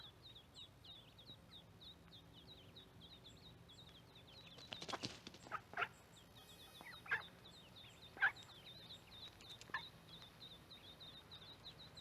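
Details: Mallard ducklings calling by corn where a microphone sits: a continuous series of faint high peeps, broken by a brief rustle and several louder separate notes.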